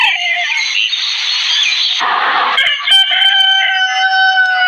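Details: Desi rooster in a crowing competition: a harsh, noisy burst gives way to a clear, sustained ringing crow that holds a level tone for about two seconds, with rough overlapping noise at the start.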